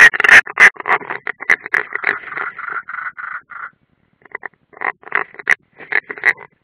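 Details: At a nest on the Ādaži training ground in Latvia, late June 2016, European rollers, one unringed, give a fast rattling series of grating, croaky calls. The calls merge into a chatter, pause briefly and then resume more sparsely.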